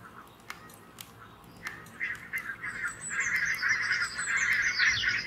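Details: Barnacle geese on alert while two red foxes approach the grazing flock: a few sharp clicks, then yapping honks building into a loud, continuous flock chatter, with thin high whistles from other birds laid over the end.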